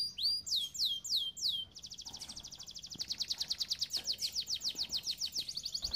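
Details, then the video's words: Training song from a canary: a few looping whistled slurs, then a long rapid high trill of sharp repeated pulses that grows louder toward the end. "Most powerful song for training Canary"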